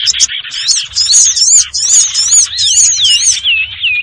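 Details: Sirtu bird lure call used for trapping small birds, a busy mix: dense high chirps and rapid arched whistled notes overlapping, with repeated rising-falling phrases near the end.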